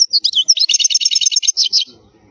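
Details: European goldfinch delivering a loud, unbroken stream of high twittering and rattling notes in khalwi wild style, a song used to tutor young goldfinches, ending abruptly with faint low rustling.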